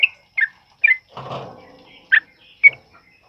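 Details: Sooty-headed bulbul in 'ropel uplik' style, meant for training other birds, during heavy rain; a few separate short whistled notes spaced about half a second apart, with one noisy rustling burst in the middle.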